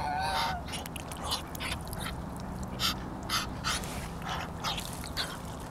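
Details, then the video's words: A duck gives a run of short, harsh, dog-like bark bursts, about two a second, after a brief nasal opening note, over a steady background hiss. "Duck sounds like a dog"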